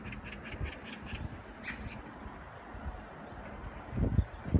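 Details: Magpie recorded 16 September 2017 gives a quick run of about six harsh, rattling chatter notes, then one more, over a steady low rumble and a few dull thumps.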